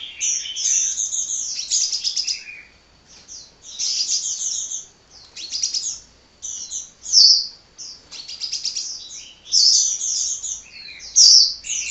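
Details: Nonstop hummingbird song: bright, piercing twitters and buzzy trilled runs, coming in uneven phrases of one to two seconds with short pauses.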